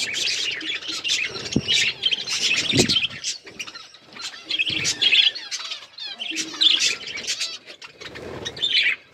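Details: Several hand-tame pet budgerigars chattering almost nonstop in busy, scratchy warbles and chirps, with a few dull low thumps mixed in.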